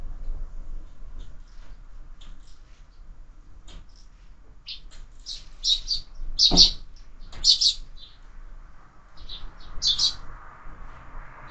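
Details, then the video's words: Sparrows at a window-mounted feeder used for year-round bird feeding; several short, bright chirps clustered from about five to eleven seconds, some overlapping, with faint scattered tweets earlier over a low steady hum. "Воробьи в кормушке"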